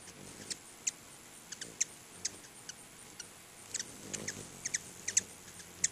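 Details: A crowd of hummingbirds at two feeders in front of a house gives thin, high, dry chips and ticks, scattered irregularly, sometimes in quick pairs, over a soft background hiss.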